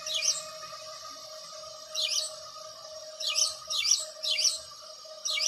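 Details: House sparrow calling with bright, scratchy chirps, some given singly and some in quick runs of three, over a persistent electrical-sounding hum.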